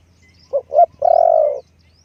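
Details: Decoy spotted dove cooing in a low voice: two quick short coos followed at once by a long, steady, slightly falling coo, while faint thin chirps of other birds sound in the background.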